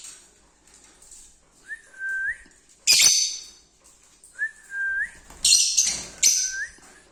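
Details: Lovebirds singing: a short, sharp squawk, then later a cluster of loud, rasping chirps, interleaved with three steady whistled notes that each end in a quick upward flick.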